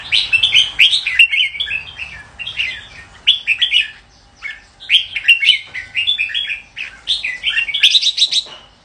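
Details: Red-whiskered bulbul singing: bursts of bright, warbling, slurred whistled phrases, rising and falling, delivered in quick clusters separated by short pauses throughout.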